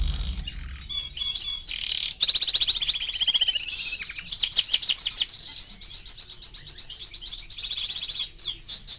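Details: Canary aged four months sings varied phrases: a high trill, a descending rolled series, fast rising sweeps repeated several times a second, then a steady buzzy trill, with a few clicks and knocks between.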